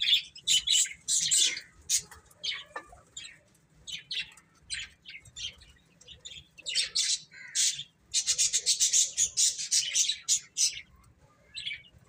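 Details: Chicks eating and playing, uttering scattered sharp high cheeps at first, then a long run of fast, loud, closely packed chirping toward the end.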